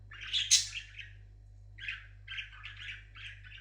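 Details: Parrot kept as a pet sings: an opening harsh burst, a pause, then a string of short warbled chirps at a steady middle pitch.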